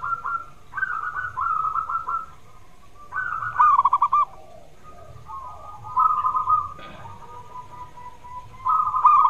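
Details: Zebra dove song meant to provoke quiet doves into singing: repeated cooing phrases, each trailing into a fast stutter of bell-like notes, four bouts with brief gaps and a faint click between them.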